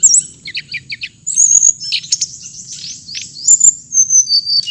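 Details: High whistled song of a hồng hạnh bird: a quick row of short chirps, then longer sliding whistles and twitters continuing to the end, over a faint steady high tone and low hum.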